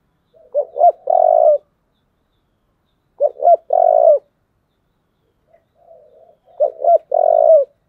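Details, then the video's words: Spotted dove with a thổ-style voice giving its fighting call: three phrases of two quick coos and a long drawn coo, spaced about three seconds apart, with a soft low murmur before the last phrase, clean and quiet background. "cu gáy giọng thổ, thúc đấu"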